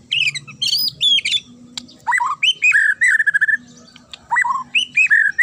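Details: White-rumped shama (murai batu), a fighter bird in fighting action, delivering sharp, clear, shrill song: rapid bursts of varied whistles, high chirps and downslurred rolling notes, with short gaps between phrases over a faint low hum.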